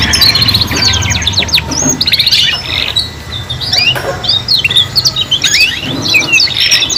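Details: Young canaries' practice recording of three-in-one canary song: bursts of rapid rolling trills and chirped notes, separated by short gaps, with a low hum throughout.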